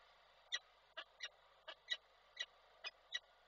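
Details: Female peregrine falcon in Koszalin, Poland, somewhat drenched, calling for the male on 7 August 2023; eight hoarse, spaced notes against a steady hiss.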